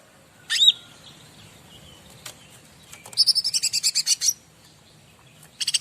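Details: Bar-winged prinia song used as a master track to set other birds singing: a single sharp chirp, then a quick run of about ten high, evenly spaced notes, and the start of another burst at the end.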